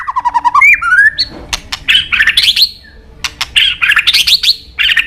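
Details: Murai batu, the white-rumped shama prized by songbird keepers, opening with descending warbled notes and a rising whistle, then bursts of harsh buzzy chattering broken by sharp clicks.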